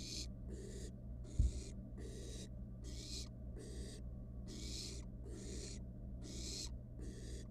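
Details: Barn owl nestling in a wild nest box, handling its food, giving a run of harsh breathy hisses spaced under a second apart, one thud near the start, steady hum throughout.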